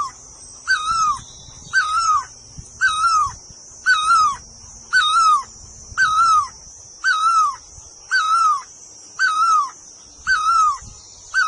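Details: Repeated call of a bird locally named puj daum, nok tong lo in Thai: ten evenly spaced, slightly falling hooted notes, one roughly every 1.1 seconds, with a continuous shrill background drone throughout.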